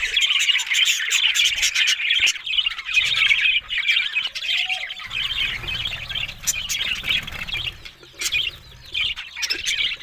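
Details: Pet budgerigars keep up a rapid, uneven stream of squeaky chirps, clicks and harsh squawks. A low hum runs through the middle section.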